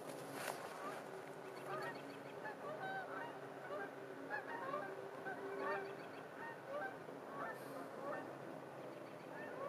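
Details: Geese calling in a park at winter sunset. Scattered soft honks from several birds overlap through the whole stretch, set against a constant wash of wind and distant traffic.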